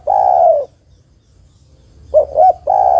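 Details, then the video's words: ['Female spotted dove calling to the male, used as a lure for males slow to sing; a long, low, burry coo fades, then after a pause two short hooting notes lead into another drawn-out coo.'] "Tekukur betina memanggil jantan suara bagus untuk pancingan tekukur jantan yang malas bunyi"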